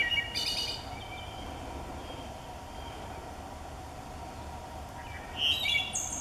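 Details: Wood thrush singing live in a forest, a migrant from Central America that nests in New Jersey woods: two short, bright fluty phrases with trilled endings, one near the start and one near the end, over steady low woodland hiss.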